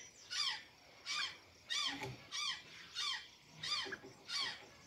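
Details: Seven evenly spaced, buzzy, down-slurred squawks from an azure jay eating banana and sweet potatoes in Santa Catarina, each about half a second apart against quiet background noise.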